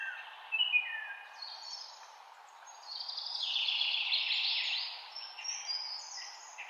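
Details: Taiwan blue magpie giving short chattering notes early on, followed by a long, loud, rasping call through the middle, then scattered sharp notes against constant background noise.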